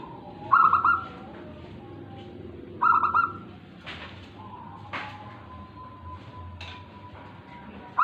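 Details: Zebra dove, local and tame, sings two short rolling coo phrases about two seconds apart, each a burst of quick soft pulses; afterwards several sharp clicks and a faint steady tone continue.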